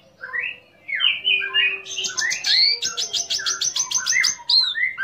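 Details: Orange-headed thrush in full song, used to provoke other orange-headed thrushes into singing and to raise their breeding urge: varied whistled phrases, rising and falling, then a rapid run of sharp high repeated notes.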